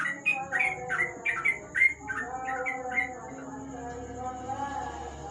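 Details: At night under a lamp, a sooty-headed bulbul gives a quick burst of sharp chirping notes for about three seconds that then fades out, leaving a low steady hum.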